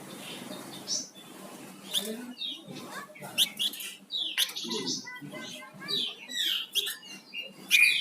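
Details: Flamboyan songbird in full, active song: many quick high chirps, short rising and falling whistled slurs and buzzy notes in uneven bursts over a steady background hiss.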